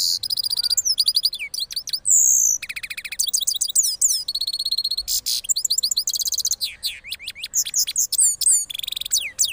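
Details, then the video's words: Loud, varied rolling song from a cross goldfinch of Parachinar after moulting: rapid high trills, buzzy rattles, rising and falling slurred whistles and twittering runs, nearly continuous for almost ten seconds. "Cross Gold Finch Part 3 After Moulting Rolling Songs"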